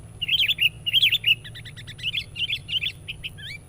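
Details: Sooty-headed bulbul in persistent, chatty lure song: two loud bubbly phrases, then a run of quicker, softer clipped chirps and a final pair of rising notes, with a low background rumble throughout.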